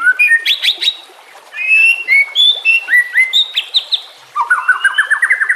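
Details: White-rumped shama song for luring or training caged shamas, with nature sounds and flowing water: clear whistled phrases and sharp upsweeps, a pause, then a rapid series of rising notes at the end.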